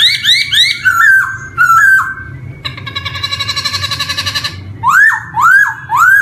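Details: Black-throated laughingthrush singing, recorded as a lure for young birds starting to sing: loud whistled slurs, then a rapid rattling chatter, then rising whistled notes repeated about twice a second.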